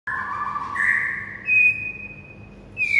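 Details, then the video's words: Morning master recording of a white-rumped shama, used to teach other birds to sing: two long steady whistled tones, one low and one higher, then a thin sustained high whistle, over a low constant hum. "MASTERAN MURAI BATU PAGI HARI"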